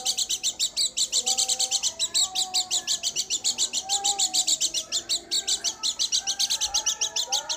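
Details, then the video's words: Oriental white-eye of the dakun type from Garut singing: rapid, bright, high chirps repeated several times per second in a steady run, with softer, lower drawn-out whistled notes beneath. "burung pleci dakun garut"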